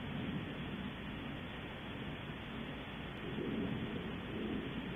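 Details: Continuous rain-like hiss and low rumble throughout, without any animal call.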